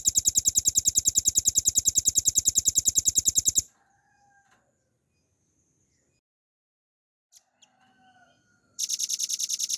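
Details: Velvet-fronted nuthatch kept as a cage bird, singing ngebren with long phrases and clear pauses for training other songbirds: a long, very regular, fast high trill for several seconds, a quiet gap with faint soft notes, then another trill.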